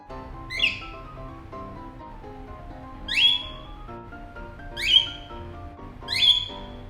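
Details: A 20-year-old male pet cockatiel in morning calling mode gives four loud, shrill, piercing screams every one to two seconds, over soft music; measured near a decibel meter, his screams peak at 91.5 dB.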